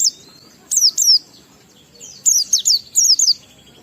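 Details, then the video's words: Oriental white-eye in ngalas song with riwikan fills, meant to stimulate other white-eyes. Short groups of two to three piercing, high, falling chirps are separated by quiet gaps, with a thin whistled note at the start. "Burung Pleci Gacor NGALAS Isian sambung Riwikan Materi Ampuh Merangsang Semua Pleci langsung Gacor"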